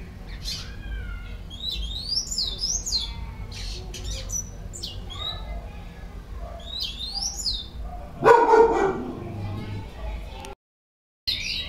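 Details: Caged white-collared seedeater, called bico laranja or argolinha branca in some places, giving repeated high whistled slurs and chips, interrupted by a loud lower noise burst and a short silence near the end.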